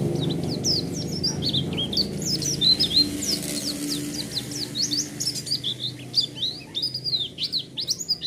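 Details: White-eye lure song: a steady stream of high chirps and quick down-slurred whistles, fast and irregular, over a constant low hum and background noise.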